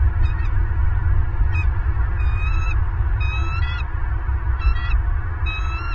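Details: Bald eagles on a Southwest Florida nest camera shortly after midnight, 28 December 2022, give quick, chattering runs of shrill piping notes in six bursts, set against strong low-pitched wind rumble and a thin continuous tone.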